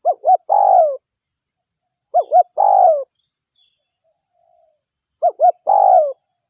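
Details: Local spotted dove used as a lure to attract other spotted doves. Soft, mellow cooing phrase of two quick short coos and a longer descending coo, repeated three times about every 2.5 seconds, in silence.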